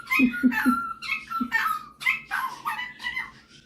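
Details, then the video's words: Male pet superb parrot whistling and calling in level and sliding notes while a person's voice asks it to imitate animal sounds, with low spoken syllables underneath. "Superb Parrot Malibu showing off his singing and mimicking skills"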